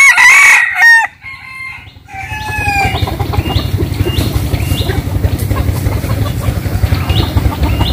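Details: Chicken crowing in the morning at a countryside home in the Mekong Delta region of Vietnam: a loud drawn-out crow opens, followed by softer repeated clucking and chattering with a steady low engine-like rumble underneath.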